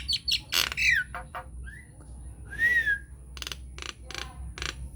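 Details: Nias hill myna lure song, unedited, to draw answers from other mynas: chattering rising notes, a short whistle and a longer arched whistle, then spaced dry clicks.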